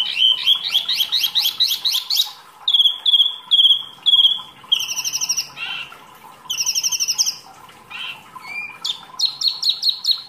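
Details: Mini wambi singing actively as masteran material: fast rattling high trills, repeated clipped whistles, buzzy bursts and scattered chirps in a varied, continuous song.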